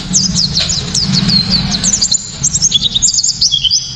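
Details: White-eye 'tembakan' song, loud and piercing, used as a lure for other white-eyes and for tutoring songbirds. A rapid run of very high, thin chirps, then a series of evenly pulsed notes, over a faint low hum.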